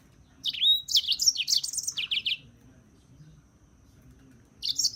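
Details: European serin delivering a rapid, buzzy, tinkling phrase of high, crowded notes for about two seconds, then silence before another burst begins.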